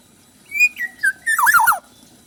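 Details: Black-naped oriole with rich fill-in song material and a chatty style: a clear whistle, two falling whistled notes, then a loud, wavering fluty phrase overlaid with a harsh rasp.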